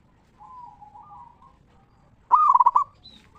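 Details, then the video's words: Local zebra dove song meant to lure other zebra doves to sing: soft wavering coos, then a loud quick rattle of about six rolling cooing notes, followed by a brief higher note. "Perkutut Lokal Gacor RAJA PIKAT Suara Ngeristal Paling Ampuh Bikin Semua Perkutut Nyaut Gacor"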